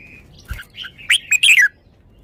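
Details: Red-whiskered bulbul delivers a quick song phrase: a soft whistle, a few chirps, then a loud tumbling run of bright, slurred whistles falling in pitch, with a soft thump early on.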